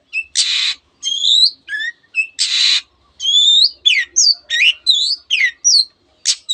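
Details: Mimicking Long-tailed shrike singing canary-like material and imitations of many birds; harsh broadband rasps alternate with clear high whistled slurs, some rising and some falling, in quick succession.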